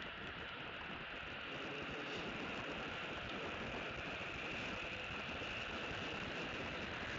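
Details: Unbroken mechanical roar resembling rail or road traffic, broad and even throughout, without any animal sound.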